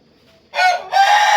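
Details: Chicken crowing, described as melodious: after brief quiet, a loud harmonic-rich crow with a slight dip midway, held strongly to the end.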